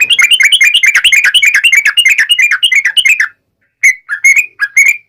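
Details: Wild-style 'ngalas' song of a yellow-vented bulbul, used to provoke other birds into answering: three seconds of rapid, bubbly, rolling chatter, a brief pause, then a few loose slurred whistled notes.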